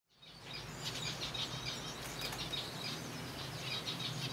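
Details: Captive colony of zebra finches feeding on softfood, many birds calling at once: dense, overlapping short high chirps and tweets, roughly three a second, over a steady low hum.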